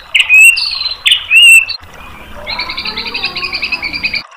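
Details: White-rumped shama tutor song to draw a reply: two loud, clear rising and falling whistled phrases, then a quieter, fast, even trill of high notes.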